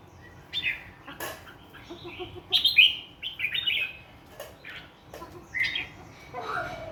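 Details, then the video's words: Morning birdsong from a wild-voiced bird: scattered short chirps and twittering phrases, some sharp clicks, sung in irregular bursts with faint background birds. "TIẾNG CHIM HOT NGHE THƯ GIÃN /Thư giãn Tiếng chim hót buổi sáng"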